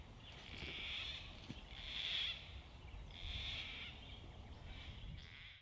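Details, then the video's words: Gang-gang cockatoo of the Australian bush, creaky-door screech: four drawn-out, rasping, creaking calls spaced about a second and a half apart, with low rumbling noise underneath. "the creaky door screech of the Gang-gang cockatoo"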